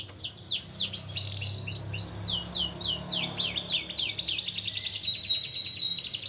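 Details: Singing canary used to provoke a silent canary into song: repeated downward-slurred whistles, some in quick pairs, building into a rapid, even, high trill over the last seconds.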